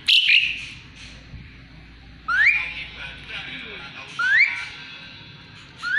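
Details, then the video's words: Asian pied starling singing actively, kept as a song tutor for magpie-robins (murai batu). A loud rising whistle sweeps upward, repeated about every two seconds, with a fainter whistled phrase at the start and a low murmur of background noise. "Jalak suren gacor isian murai batu auto nyaut"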